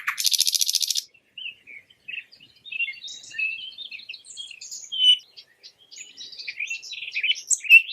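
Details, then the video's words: Singing nightingale, naturally recorded: a one-second loud buzzy trill opens the passage, followed by soft, scattered high twittering and chirped notes that grow louder toward the end. "Nightingale bird singing"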